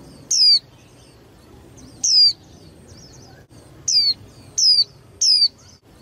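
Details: Five clear, high falling whistles from a young female white-eye used as a trigger for contest singing by males. The first notes are widely spaced, and the last three come quickly together.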